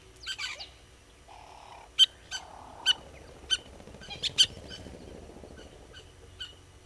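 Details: Helmeted guineafowl give sharp, harsh chipping notes at irregular intervals over a low outdoor hum, at the Gowrie dam waterhole, Djuma Game Reserve, Sabi Sand, South Africa, 06:26 on 25 April 2022.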